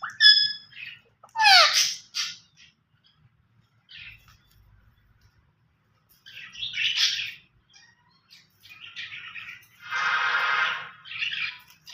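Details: Green ringneck parakeet, said to be talking: bursts of harsh, harmonic squawks and chirps, a steeply falling screech near two seconds, then a grating, buzzy call late on, with quiet pauses between bursts.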